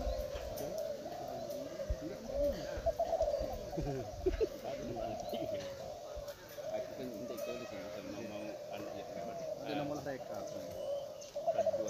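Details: Many spotted doves at a Derkuku Klantan singing contest at Gunung Kembar, East Lombok, Indonesia, in 2021. Their low, steady cooing blends into an unbroken chorus, with frequent talking and contest chatter over it.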